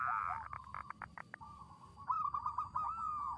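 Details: Local zebra dove with a big, active voice, used as a lure song for trapping: a quick run of staccato pulsed notes, then a wavering, bubbling trill, set over steady low background noise.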